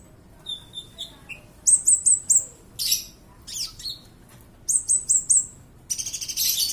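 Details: Kolibri ninja (sunbird) training song: soft lower notes, then two quick bursts of four high thin whistles separated by harsh buzzy rattles, ending in a dry trill.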